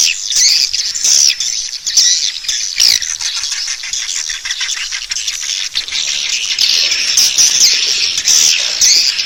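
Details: Swiftlets called toward a roosting bird house: shrill, busy chirping and chattering, with quick upward-flicking notes clustered at the start and end.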